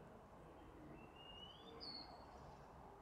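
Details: Wintering female-type wallcreeper at Nantes Cathedral, France, on 16 January 2016, calling in the city. It gives two thin, high rising whistles, the second higher and sharper, over a constant low urban traffic rumble.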